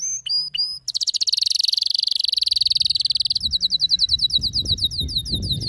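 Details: Excited male canary singing: three short rising whistled notes, then a long, fast, buzzy high trill, shifting into a slower rattling roll of repeated down-slurred notes.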